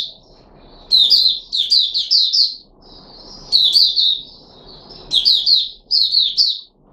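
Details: Red-whiskered bulbul of the Puteh Raja type, kept and given fruit juice, a mealworm and a supplement on 13 April 2021, sings clusters of bright, rolling whistles, three to four linked notes per burst, separated by brief gaps.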